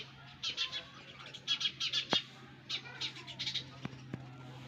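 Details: Nestling sparrows give softer, high scratchy cheeps in small clusters, with a low steady hum beneath and a few sharp clicks near the end.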